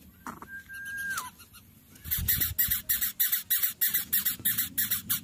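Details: A young greater coucal chick at the nest, struggling to swallow large food brought by its parent, gives harsh hissing rasps about three a second after an earlier sustained whistled note.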